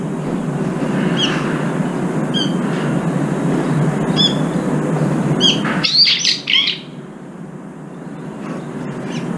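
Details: Brown-eared bulbuls crowd in to eat and fight over the food bowl, some chasing each other off. Four short, sharp chirps about a second apart, then a loud burst of harsh, squealing screeches, over a steady low rumble.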